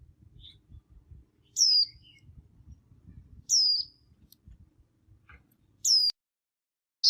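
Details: White-eye calls from a flock calling to one another: a few isolated high, downward-sliding thin notes at irregular gaps of two seconds or more, with faint soft background rustle between.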